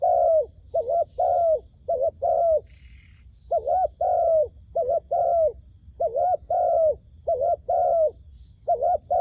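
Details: A decoy dove calling insistently to attract wild doves into a trap gives a fast, near-continuous run of mellow coos with paired wavering and level notes, plus one brief higher chirp early on and a faint steady hum.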